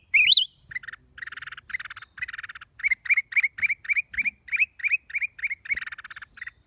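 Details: Black-crested bulbul singing, recorded 29 December 2023. A loud whistled rising-falling phrase opens, followed by harsh buzzy bursts and then a steady series of short, clipped upslurred chirps at an even quick pace.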